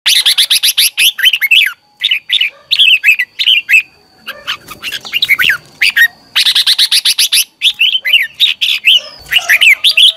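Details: Red-whiskered bulbul singing in the morning as a lure song to train other bulbuls, giving rapid bursts of bright warbled, chirpy notes in dense phrases with short pauses, repeated throughout, over a faint steady high whine.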